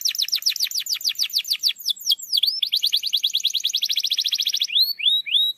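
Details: Canary song played as a lure to get quiet canaries singing: rapid series of high descending slurred notes, then a fast even trill of repeated syllables, ending with a few separate upslurred whistles.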